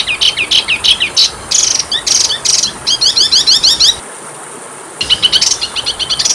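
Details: Oriental magpie-robin (kacer) masteran training song with full isian. Fast series of sharp, scratchy chirps and trills come in dense bursts, then a brief silent break, then more rapid buzzy notes.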